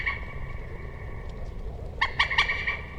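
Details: Common moorhen giving brief harsh notes, then after a pause a quick series of three or four croaky clucks, with a faint continuous high tone behind.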